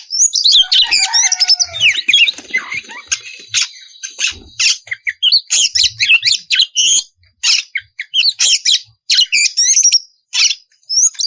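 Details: Oriental magpie-robin singing loudly to provoke rivals into answering: a rich, varied jumble of high whistles, harsh scratchy notes and rapid chattering phrases, delivered in quick bursts with short pauses.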